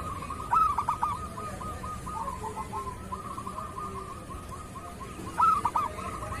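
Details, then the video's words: Masteran recording of a local zebra dove in kerot style: a loud rolling pulsed coo phrase, then a long faint trill of rapid notes, and a second loud bubbling phrase near the end. "Suara perkutut lokal masteran perkutut kerot"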